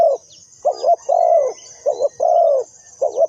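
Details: Spotted dove used as a decoy bird for trapping, giving low hollow coos: short doubled notes followed by a longer drawn-out, slightly falling coo, repeated in quick phrases, with faint high chirps of small birds behind.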